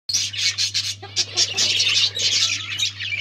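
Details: Budgerigars in a breeding colony, dense overlapping chirps and squawky warbles from many birds at once, a continuous high chatter with brief pauses, over a steady low electrical hum.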